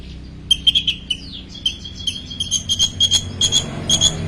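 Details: Long-tailed shrike's full song imitating ten small bird species, a quick series of clear, high chipping notes repeated rapidly, with one thin descending whistle early on and a low background hum.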